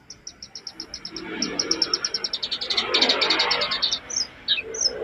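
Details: Jongkangan master song for training caged birds: a long run of fast, evenly repeated high pips, about three per second, building into a dense trill over soft background hiss, ending with two downslurred whistles.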